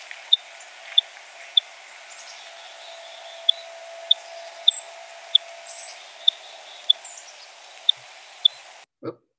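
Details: A purple finch flying overhead gives quiet but far-carrying, sharp, high, cricket-like 'thick' flight calls, singly at uneven gaps of about half a second to two seconds, over a faint background hiss.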